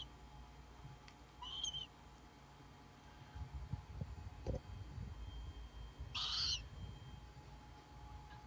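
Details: Young captive Tropical Screech Owls, owlets hatched in mid-June 2017, give two short, breathy rasping hisses several seconds apart, the second louder, over low rumbling handling noise and a faint steady hum.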